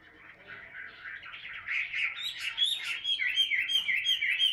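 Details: Chinese hwamei held in its cage in Vietnam, a fighting bird that spreads its tail, singing ngũ trường song: builds from a soft warble into loud, fast rolling whistles repeated about three times a second.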